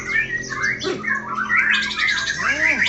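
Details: A White-rumped Shama at a songbird contest sings piercing, broken bursts of short whistled and chattering notes, with no long roll, facing away from its rival. A steady low hum and a swooping lower sound run underneath.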